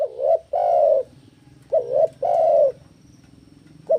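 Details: Spotted dove in breeding condition, singing to challenge a rival. Two full two-part coo phrases, each a short wavering note and then a sustained low coo, with the start of a third phrase at the end. A faint hum persists.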